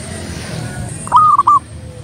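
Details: Local zebra dove in full song: a single clear cooing phrase of three short notes, the first rising and the rest level, over quiet background hum.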